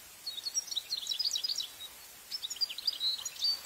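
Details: Wild, free-living European goldfinch in Italy, recorded with a parabolic microphone, sings two bursts of rapid, high, tinkling twitters with a short pause, over faint background hiss.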